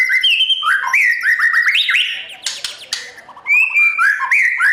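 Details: Morning song of a caged white-rumped shama being trained for competition: flowing mid-pitched whistled warbles with quick up-and-down slurs, interrupted briefly by a harsh rasping burst, then resuming with rising whistles.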